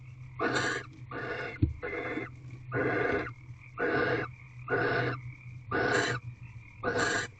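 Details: Barn owls mating in a nesting box on the 20th night, recorded at 5:19 am on 3/9/23: eight harsh, breathy hissing bursts, roughly one per second, each about half a second long, over a steady low electrical hum.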